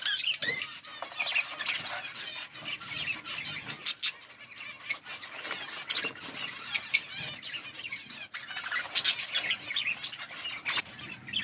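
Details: A colony of budgerigars keeps up steady high-pitched twittering, with many birds chattering over one another, short sharp chirps standing out and soft rustling and flapping underneath.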